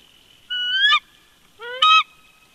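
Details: Two bald eagles dueting at their nest in winter at Big Bear Lake, California, February 2020: two loud, clear, rising whistled calls, each under half a second, the second starting lower and sweeping up, in a quiet setting.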